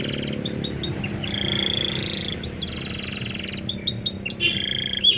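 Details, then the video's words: Canary master song in an ornamented style flavoured like a blackthroat, played to make other birds start singing: quick rising sweeps, then a steady buzzy trill, a pause, more sweeps and another rolling buzz. "masteran kenari cengkok super rasa blak strut - bikin burung lain kepancing gacor"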